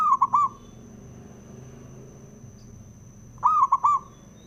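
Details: A male zebra dove, used to provoke other doves, repeats its bubbling three-note cooing phrase twice, about three and a half seconds apart, with quiet background hum and a steady faint high tone.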